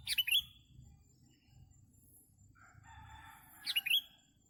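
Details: Sooty-headed bulbul heard while trapping birds: two loud, liquid, chirping phrases, one at the start and one near the end, each a quick cluster of rising and falling notes, with a soft low rumble between.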